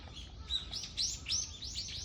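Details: Birds singing together in a green park during a walk; bright high chirped notes, arched and rising in pitch, follow one another roughly every half second over a faint low rumble.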